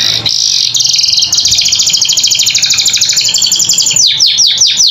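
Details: Canary tutor song for caged birds: a long, high, rattling trill held for several seconds with a slight wavering pitch, broken off by a few sharp descending whistled sweeps at the end.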